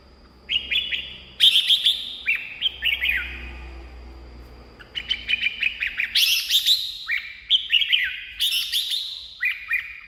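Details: Red-whiskered bulbul singing, used to stir up caged birds or attract wild ones: lively bursts of short, descending whistled notes and quick chattery phrases, repeated in clusters, over a low background hum.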